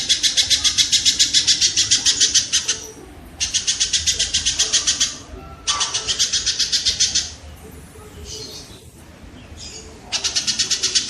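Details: Kingfisher sound used to teach songbirds: bursts of fast, high, rattling notes, each lasting roughly two seconds, separated by short gaps with faint, softer chirps.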